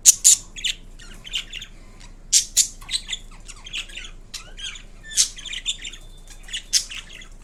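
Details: Pet Indian ringneck parrot giving sharp, piercing screeches, often in doubled bursts every two to three seconds, mixed with softer raspy chatter, and a low hum in the background.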